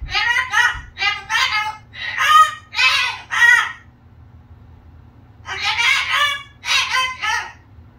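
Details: Pet cockatoo imitating baby talk: harsh, voice-like babbling bursts in two groups, about five syllables and then four, separated by a pause, with a low background hum.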